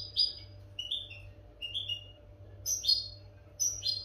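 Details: European goldfinch song for teaching captive birds a clean song: separate short notes, some sliding, some bright doubled chirps, spaced about a second apart, with a soft steady hum in the background.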